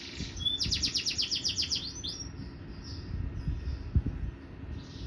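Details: Canary singing after a cover change: a rapid trill of about twelve repeated descending high notes, then softer warbled tones fading out, over low background rumble.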